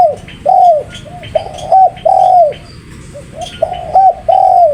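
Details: Spotted dove, called tekukur, cooing in repeated phrases: two short clipped coos followed by a longer, falling, drawn-out coo, repeated about three times, with faint chirps of other birds and low background hum.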